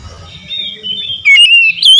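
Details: Oriental magpie-robin singing: a loud, clear whistled phrase with sliding, slightly rising notes, preceded by quieter muffled background sounds.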